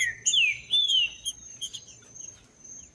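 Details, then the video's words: Singing green-winged saltator gives a low whistle, then two loud arching whistled phrases, followed by scattered soft chips over a constant faint high whine. Played to excite cold birds. "LEVANTE SEU TRINCA FERRO MELHOR VÍDEO PARA ESQUENTAR TRINCA FERRO FRIO COM TRINCA FERRO CANTANDO"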